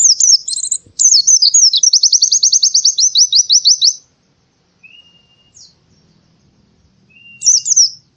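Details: Oriental white-eye in the morning, delivering high slurred twitters that run into a fast, even trill of about twenty-five repeated notes, then quiet, a faint thin whistle, and another brief high phrase.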